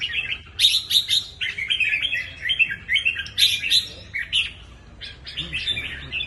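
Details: Red-whiskered bulbul delivering clipped, chirpy warbles in rapid bursts about every half second, with brief pauses and a lively, bouncing rhythm throughout.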